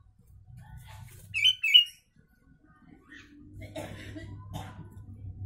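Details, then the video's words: A sooty-headed bulbul that mimics Javan myna song, recorded as a training model, gives two loud ringing whistles, then after a pause a few faint chirps over steady low hum. "Kutilang isian Jalak kebo"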